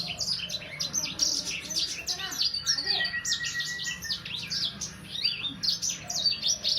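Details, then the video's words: Young Sangihe hanging parrot about three months old, singing a continuous stream of high, thin, rapid chirps and downslurred twitters, densely packed with barely a pause, with a faint steady whistled tone beneath. "Burung sanger paud..durasi 2 menit tanpa jeda."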